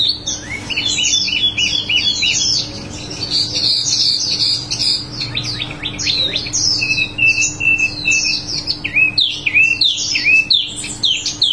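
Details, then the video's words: Energetic rolling song of a wambi mini: long, unbroken stream of very high, rapid chirps and twittering trills with quick slurred notes, varying in tempo across the phrase; faint steady hum. "wambi mini gacor ngerol"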